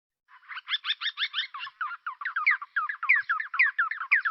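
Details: Yellow-breasted Barbet group in Djibouti, responding to playback and starting a communal chorus display, gives a fast run of buzzy, stacked tube notes, about eight a second, then shifts into more varied, ringing song notes.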